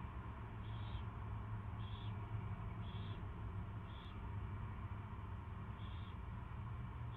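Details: An owl during its first feeding on 24 February 2016, 2:15 PM, gives six brief hoarse hisses, roughly one each second, with gaps, against a steady deep background drone.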